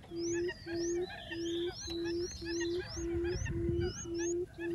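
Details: Quail lure call meant to bring other quails in: a regular run of deep, even hooting notes nearly twice a second, over busier background chatter and rising whistles from other small birds.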